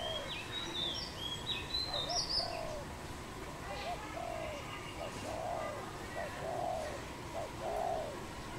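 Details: A dove cooing outdoors in Cambodia, 24 April 2020, giving a run of low, hollow coos, clipped hooked notes alternating with longer swelling ones, repeated about every second. High chirps and slurred whistles from other birds sound in the first few seconds.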